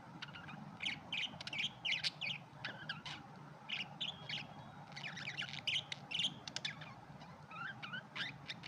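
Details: Chatter of red-eyed budgerigars, rapid clustered chirps and twittering notes with a few drawn-out whistles, sounding like several birds calling together, steady low hum underneath.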